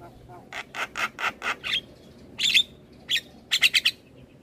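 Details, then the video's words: Asian pied starling song for training captive starlings to sing: a row of six rasping, buzzy notes about every quarter second, then scattered shrill whistled squeaks. "Masteran Jalak Kebo Terpopuler Tayang Setiap Hari Bikn Jalak Makin Gacor"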